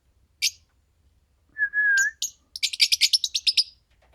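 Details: A green pair of Fischer's lovebirds: one sharp high chirp, then a steady whistled note held about half a second, then a fast run of about ten shrill, harsh chirps.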